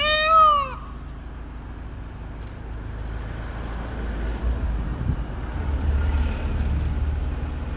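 A single loud, nasal, cat-like wail from a peacock opens the recording, dropping slightly in pitch. Low traffic rumble follows for the rest.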